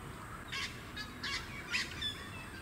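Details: Australasian Swamphen, the Australian variety of Purple Swamphen, at a small artificial lake on the Sunshine Coast, Queensland, in November 2017: three harsh, broad, noisy bursts about half a second apart over steady wind and suburban background noise.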